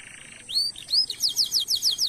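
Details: Canary lure song for stimulating other canaries: a low buzzy trill, two rising whistled notes, then a rapid repeated series of sharp downslurred chirps.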